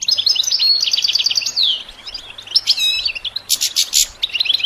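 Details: Goldfinch song as training material for songbirds: a rhythmic run of repeated clipped notes ending in a descending slur, then scattered buzzy chirps and harsh rasping bursts over faint background hiss.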